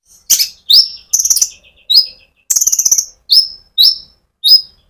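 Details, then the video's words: Sunbird (konin) singing briskly, used to stimulate other sunbirds; bright downslurred chirps repeated about every half second, with two rapid stuttering trills in between. "pancingan Burung Konin gacor ngerol untuk kolibri ninja ijoan sampe metalik"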